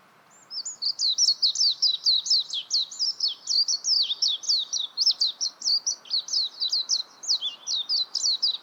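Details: Long, continuous high twittering warble of a warbling white-eye, dense rapid notes jumping up and down for over eight seconds in a quiet setting.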